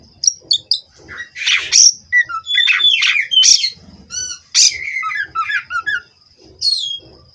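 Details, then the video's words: Captive-bred Oriental magpie-robin in a perch-steadiness therapy song: varied whistles, buzzy rasps and quick downslurred notes in a lively jumble, a thin continuous high tone and light low hum in the background. "Terapi Burung Kacer Agar Stabil di Pedok. Bikin L4w4n Mbagong"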